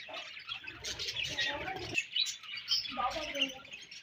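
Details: Budgerigars in breeding season chattering, with dense high warbled chirps and a few lower, rough, voice-like warbles in two bursts separated by a short quieter gap.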